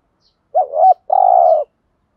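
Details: Spotted dove cooing in the thúc gù lure style, used to agitate wild doves so they answer: a short wavering double-hump note, a brief pause, then a longer level coo, on a clean background.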